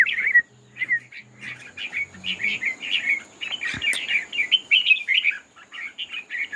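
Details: Red-whiskered bulbuls singing in a contest while displaying. Nearly unbroken run of liquid, warbling chirps, quick and uneven, with one sharp knock midway. A faint low hum comes and goes.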